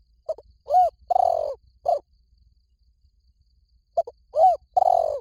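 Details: Spotted dove cooing for decoy luring: a soft lead-in note, a rounded coo, a long vibrating downward coo and a short end coo, the whole phrase repeated after a two-second pause.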